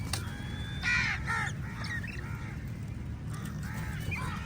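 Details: Several crows caw harshly while fighting eagles over food, a loud burst of overlapping caws early, then fainter calls and thin whistled notes from other birds, over low rumbling noise.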